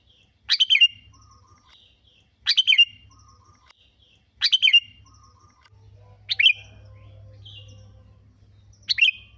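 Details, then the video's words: Sooty-headed bulbul song played as a lure to trigger other birds to sing: short bright chirpy phrases of three or four quick notes, repeated about every two seconds, five phrases in all, over a low steady hum. "Pancingan burung kutilang√Bikin bunyi"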